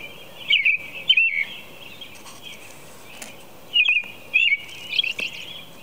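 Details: Robin song before dawn at 4:00 a.m.: caroling whistled phrases delivered in two bursts of two or three, each phrase short and warbling, with a steady high-pitched hum underneath.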